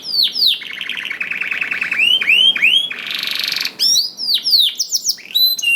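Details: Vigorous canary song meant to coax quiet canaries into singing: a long rolling trill, repeated swooping whistles, a dense buzzy tour, then rapid downslurred notes.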